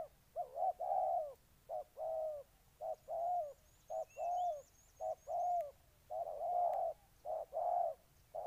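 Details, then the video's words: Low throaty coos of a spotted dove in Ninh Thuận, repeated in a rapid uneven rhythm, while a thin high trilling series and a few sharp clicks are heard faintly above. "Cu gáy Ninh Thuận"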